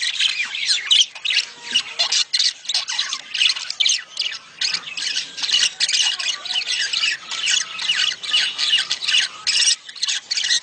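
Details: Breeding budgerigar calls for prompting a female to lay eggs: rapid bursts of rasping squawks and sharp tweets, about two or three bursts a second, in an irregular, nonstop chattering stream.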